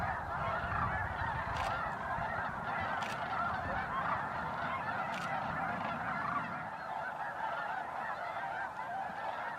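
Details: Large gathering of snow geese, Bosque del Apache National Wildlife Refuge, December 2009, at sunset and sunrise. Steady wall of overlapping honks, with several short sharp clicks in the first half.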